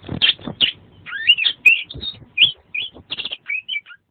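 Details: Oriental magpie-robin, known locally as kacer, singing energetically as a 'masteran' tutor recording. It mixes scratchy chattering bursts with clear, slurred rising and falling whistles in a rapid, varied sequence, and pauses briefly between phrases.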